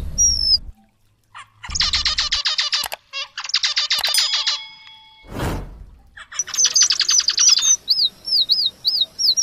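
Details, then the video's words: Red avadavat song used as tutor material for white-rumped shamas: dense buzzy rolling trills in bursts, a loud rushing swish, then a row of high wavy whistles. "Emprit geni STRAWBERRY gacor MASTERAN kombinasi BURUNG KACER"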